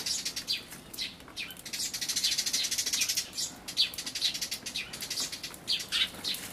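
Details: Eurasian tree sparrows at a feeder on 28 May 2013, an adult, possibly very old with an oversized black throat patch, feeding its chicks, recorded on an Everio camcorder. Dense, high, sharp chirps pour out almost continuously, overlapping in rapid bursts with brief louder peaks.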